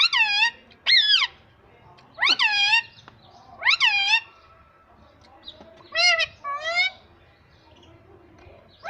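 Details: Talking parrot repeating Hindi words such as "mummy" indoors: about eight loud, clear voice-like syllables with wavering rise-fall tones, mostly in pairs, against a faint background hum.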